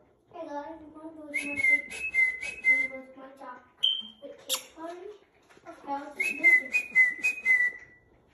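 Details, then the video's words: Hand-tamed rainbow lorikeet whistling during training: bright whistled phrases of quick rising-falling notes, repeated in two bursts with shrill overtones, over lower warbling and a person's voice nearby indoors. "How to hand tame and training rainbow lorikeets whistles tricks"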